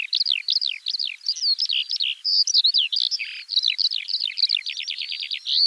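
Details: High, continuous skylark warble with rapid repeated slurred notes, chirps and short whistles, flowing in a dense, bubbling stream that speeds into fast trills at the end.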